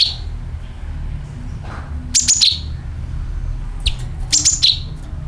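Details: Sooty-headed bulbul lure call: two clusters of bright chirps, each stepping from a piercing high note down to a lower one, separated by a soft pause, over low background rumble.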